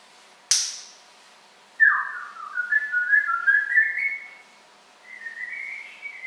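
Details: A pet African grey parrot, recorded close up, gives a sharp click, then a long wavering whistle that slides slowly upward, followed by a second shorter whistle, in a quiet room.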